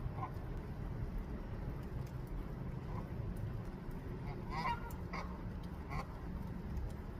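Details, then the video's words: A goose calling for its mate while looking for a nest site in a Canadian rooftop garden; three brief nasal honks come late in the clip over a steady low rumble. "New Goose Making Honking Sounds and Neck Wiggling, Calling for its Mate to Come"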